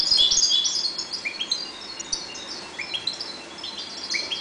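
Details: European goldfinches breeding quietly in a 1.20 m cage sing rapid liquid twittering, strongest at the start, then regular rising chirps about every second and a half against soft background noise.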